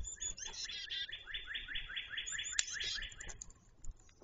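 A grackle gives a rapid run of harsh, squeaky chattering notes, about four each second, with a sharp click midway and a faint low rumble behind.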